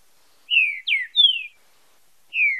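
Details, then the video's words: Green-winged saltator giving a 'fibra com marcheado' training song: three loud, mellow whistles, each gliding downward, the third starting highest, then a single falling whistle after a brief gap, in a silent background. "TRINCA FERRO FIBRA COM MARCHEADO - ESPECIAL PARA TREINAMENTO E ESTIMULO DE CANTO"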